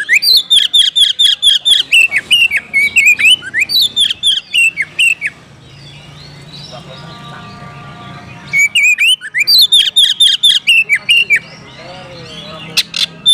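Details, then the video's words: Oriental magpie-robin calling a rival to fight, opening with a fast string of repeated whistled notes, a quieter pause with faint tones, then another burst of rapid loud repeated notes. "panggilan kacer mencari lawan tarung"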